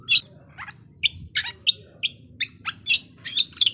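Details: Oriental magpie-robin singing a fierce, provoking lure song for rival birds. It has bright, very high, scratchy bursts and short rising whistles at irregular intervals, with low hum in the background.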